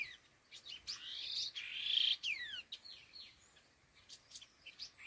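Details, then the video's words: Laughingthrush (khứu lùn) giving a loud rasping chatter that swells, then a run of falling whistled slurs and sharp clicks fading into softer scattered chips. "Âm Thanh Chim Khứu Lùn Đôi Hung Gọi Đằng"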